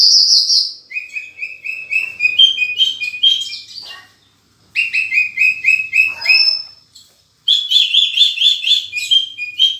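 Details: Lively Horsfield's bush lark song with full fill-in phrases. Strings of rapid, repeated high notes slide up in steps, broken by brief silences, then resume with buzzy, clustered chirping.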